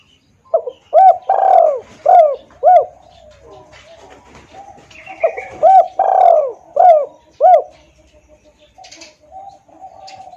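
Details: Spotted dove lure call for bringing in wild doves, loud and clear. Two matching phrases of crisp short coos around a long falling coo, about five seconds apart, with faint chirps in between.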